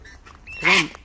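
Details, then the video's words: A wild sulphur-crested cockatoo, coaxed to call, gives one loud, harsh, grating bugle-like screech lasting about a quarter second after faint background sounds. "The wild cockatoo Bugsy's bugle call!"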